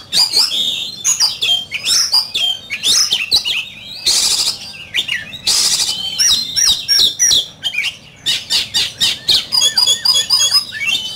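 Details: Oriental magpie-robin in heated competitive song: a long, rich run of varied whistles, trills and fast chattering notes, with two brief harsh bursts in between and a fast, rattling sequence near the end.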